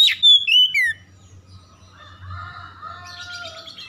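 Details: Oriental magpie-robin song, played to provoke other birds into aggressive singing: a few loud, clear whistled notes sliding downward, followed by softer, fainter warbling phrases over a low hum.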